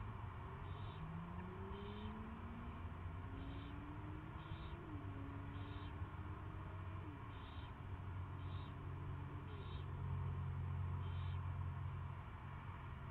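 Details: Young owl during its first feeding, live feed on 24 February 2016, 2:15 PM; about nine brief high chirps spaced irregularly, a faint rising whine in the lower range, constant deep background rumble.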